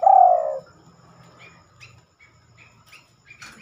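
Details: A spotted dove, or terkukur, singing at night, which is rare for it. One short, low, throaty coo opens the recording, followed by faint scattered high chirps and a soft low rumble.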